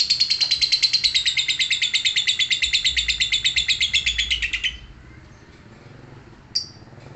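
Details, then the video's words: A lovebird chattering in ngekek style, a steady train of quick buzzy high notes sliding slightly lower for almost five seconds, then stopping, followed after a pause by one short chirp. "Cek - cek cer Lovebird langsung ngekek"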